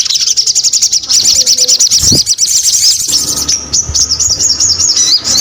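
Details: Sogon singing vigorously: rapid, high chirped notes repeated in quick rolling bursts, then a steadier thin warbling line, with faint low background noise.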